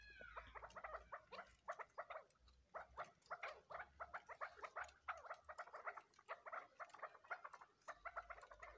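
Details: Crossbred chukar partridge chicks give a dense, overlapping chatter of short, mid-pitched peeps, several birds calling at once almost without pause, over a low background hum.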